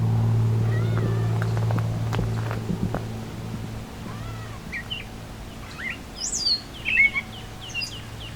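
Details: Gray catbird (Dumetella carolinensis) giving its soft, cat-like downslurred mew in the Beverly Swamp, Flamborough, Ontario, Canada, at the 2024 summer solstice, with higher chirps from other birds and a low steady hum.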